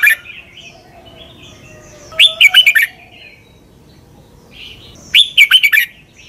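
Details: Red-whiskered bulbul from Thailand singing a doubled, southern-style master song used to teach young birds. Two short bursts of about five quick, bright, warbled notes, roughly three seconds apart, with faint soft calls between them.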